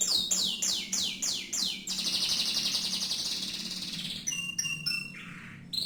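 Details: Canary song opening with six loud high notes sliding downward, about three per second, then a sustained buzzy trill and a few sharp clipped notes.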